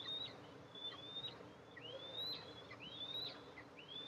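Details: Eastern imperial eagle nest with two eaglets, mother arriving with food, July 14, 2024; short thin whistles that curve upward and fall away at the end, repeated irregularly, about five in four seconds.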